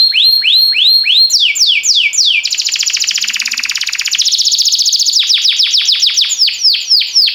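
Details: Timbrado canary singing, meant for training young canaries: series of falling whistled slurs, a sustained rolling buzzy trill, then rapid repeated downward sweeps, high-pitched and unbroken.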